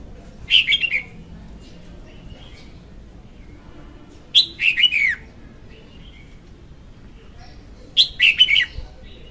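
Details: A female red-whiskered bulbul sings for use in bird trapping: three cheerful, fluty phrases, each about a second long, spaced roughly every three and a half seconds, with quiet background and faint soft notes between.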